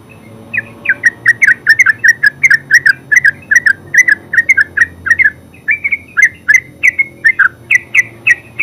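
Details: Energetic terucuk song from a yellow-vented bulbul: fast, continuous run of bubbly downslurred whistles, a short break near five and a half seconds, then higher, brighter notes.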